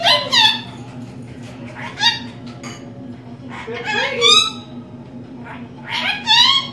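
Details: Female pet lorikeet speaking learned phrases in a room: four spaced bursts of squeaky, harsh, word-like syllables, each a second or two apart, with a steady low background hum.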